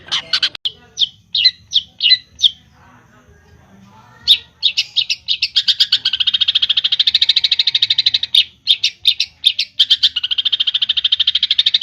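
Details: Javanese long-tailed shrike singing vigorously in a full, clear filler (isian) style: a few separate sharp chirps, a pause, then long rapid buzzy trills of high notes broken by short stuttered bursts.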